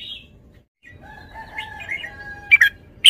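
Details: Red-whiskered bulbul: a high whistled note, then a long, level whistle beneath soft warbles, ending in short, loud, bright note bursts.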